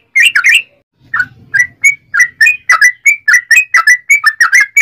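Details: Yellow-vented bulbul giving a long, fast run of bubbly, liquid notes, about three or four a second, loud and without pause; a singing bird used as a lure to provoke other bulbuls into singing.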